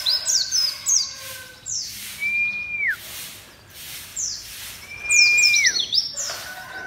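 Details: White-eye, known locally as pleci, played loudly: sharp, high chirps and twitters in quick bursts, mixed with long, level whistles that drop at the end, repeated twice.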